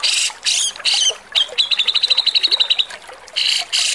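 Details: Javan grey-cheeked bulbul, harsh tutor song for cage birds: rasping broadband bursts open and close the phrase, framing a rapid trill of clipped repeated notes.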